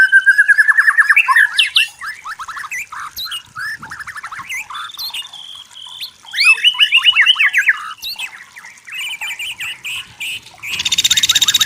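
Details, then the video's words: White-rumped shama in clear natural forest sound, singing a rich, varied song of rapid repeated notes, trills and sweeping whistles, with fast buzzy rattles and a high rasping burst near the end. "Suara Murai Batu Hutan Jernih Alami Jernih Shama bird"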